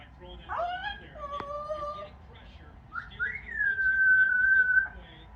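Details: Yellow-naped amazon parrot, a pet on its perch indoors, making noise: a falling then steady whistled note, a lower held tone, then a long clear whistle that rises and stays level; low room hum underneath.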